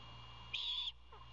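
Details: Single hoarse, hissing screech of about a third of a second from a young owl begging for food from its father, steady low hum underneath.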